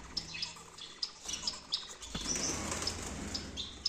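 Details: Gouldian finches in a breeding aviary setup in Peshawar, Pakistan: repeated short high chirps and thin whistled notes, several birds calling over a steady background hiss with a low hum.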